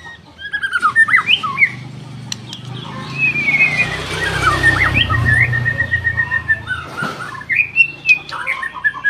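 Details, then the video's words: Murai batu, a white-rumped shama of the F4 line, singing: scattered sharp notes, then long sweet whistled phrases gliding up and down, followed by quick chips, over a low background hum. "KICAUAN BURUNG MURAI BATU F4 GACOR"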